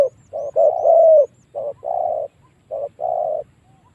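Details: Spotted dove calling as a decoy to lure wild doves into fighting. Rhythmic hollow coos in repeated phrases, a short note followed by a longer, louder drawn-out coo, with faint high ticking in the background.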